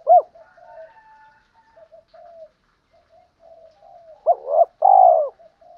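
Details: Spotted dove lure cooing, male and female, for training: one sharp coo, a long stretch of soft murmuring coos, then two clipped notes and a drawn-out rolling coo.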